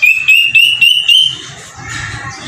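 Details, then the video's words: Square-tailed drongo-cuckoo, known locally as kedasih hitam: a quick series of about five clear whistled notes, each pitched a little higher than the last, lasting just over a second, followed by soft background rustle and hum. "suara burung kedasih hitam"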